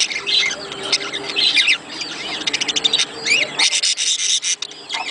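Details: Budgerigar vocalizations for stimulating breeding: chattering warble broken by a fast series of dry clicking notes, followed by loud overlapping chirps and squeaks.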